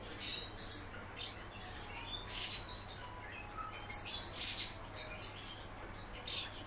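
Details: Kept house martin twittering steadily: bright, sharp chirps and short scratchy notes tumble on without pause over a faint constant low hum.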